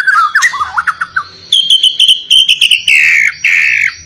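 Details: White-rumped shama giving a persistent, insistent song meant to spur other shamas into singing: low slurred whistles at first, then a run of sharp, clipped high notes and a bright rippling trill.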